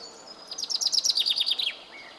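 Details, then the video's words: A common chaffinch sitting high in a tree sings a quick, bright run of about a dozen high notes that tumble downward in pitch and finish with a short flourish. "Buchfink singt"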